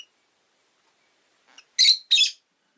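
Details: Rosy-faced lovebird giving two loud, harsh, high chirps in quick succession near the end, after a soft faint chirp and a long stretch of silence.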